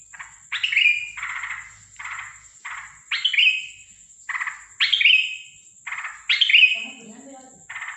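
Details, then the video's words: Strange night-time calling from a sooty-headed bulbul on 13 December 2023. Grating buzzy notes alternate with loud, downslurred squawks, repeated in uneven bursts about once every second or two. A faint low murmur appears near the end, and a constant high whine is present. "Burung Trucukan bersuara aneh dimalam hari"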